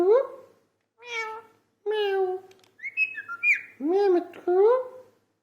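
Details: Talking parrot uttering meow-like, rising and falling harmonic calls, with a brief whistled passage in the middle.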